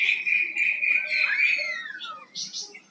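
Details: Flamboyan songbird singing actively: a run of clear, even whistled notes at one pitch, then a long downward-sliding whistle, followed by a few soft high chirps.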